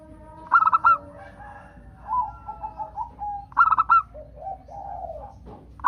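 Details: A local zebra dove sings to prompt other doves to answer: two clear phrases of four staccato, bell-like coos about three seconds apart, with soft, broken chirps between and a third phrase starting at the end.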